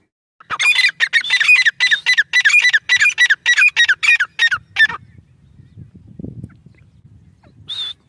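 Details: Grey francolin chicks feeding: a fast run of about a dozen loud squeaky chirps, each dipping in pitch, given several per second, then a pause with low rustling and one last high note.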